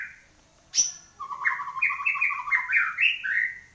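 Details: White-rumped shama singing vigorously after finishing its moult: a sharp high click, then a quick run of stepped, rising whistled notes, bright and varied, climbing in short jumps over about two and a half seconds.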